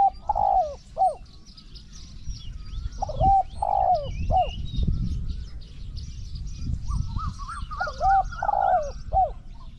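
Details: Spotted dove decoy trapping in Thailand: three-note cooing phrases repeated, with low thumping knocks in the middle and a faint higher trill overlapping the last phrase, insects buzzing behind.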